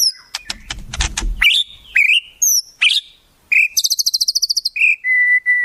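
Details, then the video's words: Murai song rich in wild-bird imitations: several harsh broadband bursts, then slurred whistles, a rapid rattle of evenly spaced high notes and two steady level whistles at the end. "Masteran Murai, Isian Burung Alam Liar"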